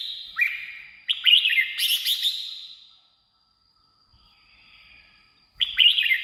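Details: Red-whiskered bulbul singing, meant for luring wild birds or exciting caged ones: a run of clear, slurred whistled notes with a buzzy high flourish, then near silence, then another whistled phrase starts at the end.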